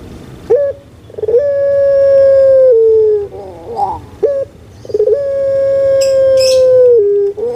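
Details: Puter pelung collared dove kept in captivity, a breed well known in Java, Indonesia, calling to encourage idle birds: two long, flat coos, each introduced by quick short notes and ending in a lower drop, with brief gurgles between.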